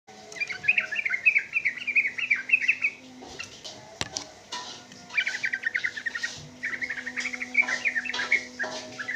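A sooty-headed bulbul sings three long, rapid, bubbling chattered phrases, bright and mid-pitched, over a steady low mechanical hum with one sharp click.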